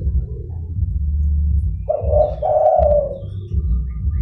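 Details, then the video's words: Zebra dove luring call: after a quiet start, one rolling coo phrase of two parts, about a second long, breaks out over a steady deep hum. "DERKUKU GACOR (DERKUKU PIKAT)"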